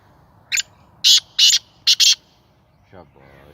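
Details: Its first call from a captive Sindhi black francolin, a bird no longer afraid of people. Five harsh, grating bursts come in a fast uneven rhythm, then a brief low voice-like sound.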